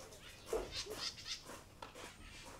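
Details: Collared aracari (Pteroglossus torquatus) calling, a quick run of sharp, squeaky, rasping notes, about four within a second, over a faint background hiss.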